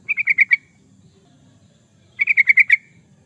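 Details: Trucukan, the yellow-vented bulbul, singing a lively lure or training song: two crisp phrases of five or six quick, slightly descending bubbly notes separated by a short pause, with faint low rumble.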